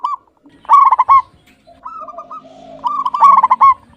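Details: Local zebra dove singing with a clear voice: a loud series of rapid, stuttered coo notes, a quieter rolling phrase, then another strong staccato burst.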